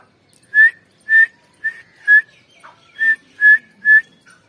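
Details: Whistled call series from a female grey francolin on 29 November 2022: seven loud, clean whistles on one pitch with short gaps, plus a quieter lower note in the middle.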